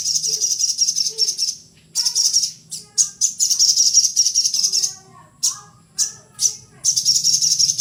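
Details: Little spiderhunter in energetic song: long bursts of very high, shrill, rapid chattering notes broken by short pauses and sharp single chips, with faint lower sounds in the background.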